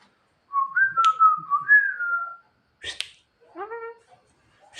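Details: Javan myna at night, calling its mate: a long warbled whistled phrase that wavers and slides, a sharp click, then a nasal note that rises and falls.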